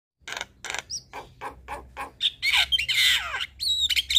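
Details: Black-winged starling singing in the evening, a recording played to train young starlings to sing: harsh broadband rasping notes, then buzzy squawks and a few sharp whistled notes.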